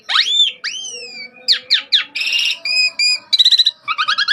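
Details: Asian pied starling song from a track for training cage birds: rising and falling whistles, then quick sharp notes, buzzy chatter and fast rattling trills.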